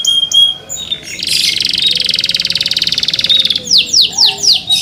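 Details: Canary in captivity singing to prompt others to join: a few short high chips, then a dense buzzy rattling roll lasting two seconds, followed by four slow, bright descending swoops.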